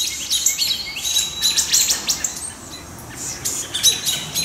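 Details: Wood thrush scolding a juvenile great horned owl to drive it from the nesting area, July 2019; quick, irregular high chips about three per second, a brief lull mid-clip, then renewed calling among other mobbing birds.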